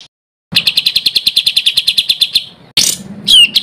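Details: Songbird master recording for training contest birds, rough rolling material: a quick string of evenly spaced high chirps for about two seconds, followed by a harsh burst and a sweeping whistled note.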